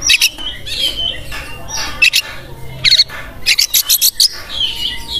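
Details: Oriental magpie-robin in vigorous 'gacor' song as a master training recording: harsh buzzy chattering bursts between 0.2 and 4.3 seconds, interspersed with short high whistled phrases and a faint low background hum.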